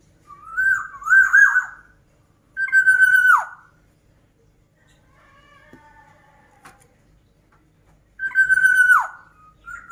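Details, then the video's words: Black-naped oriole (kepodang mas) calling actively: wavering nasal phrases, then two long level notes that each drop sharply at the end, spaced several seconds apart, with a softer buzzy phrase between them against a quiet background. "Kicauan Burung Kepodang Mas Gacor"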